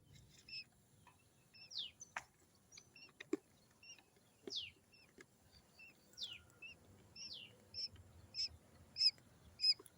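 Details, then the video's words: Quail chicks give thin, high peeping calls, similar to chicken chicks but smaller, some sliding downward, repeated in quick irregular bursts about every second, with faint clicks and rustling. "Suara Anak Puyuh / Quail Chick's Sound"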